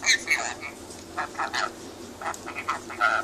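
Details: Pet rainbow lorikeet having fun chatting, harsh buzzy chatter broken into short squeaky bursts, with a brief clear whistle near the end.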